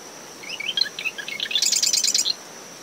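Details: Marsh wren singing in early morning from dune shrubs around its nest at SMNWR, after tropical depression Claudette, in brisk wind, ten meters from the high tide line: scattered chips, then a rapid buzzy rattle of about eight notes, over a steady high cricket tone.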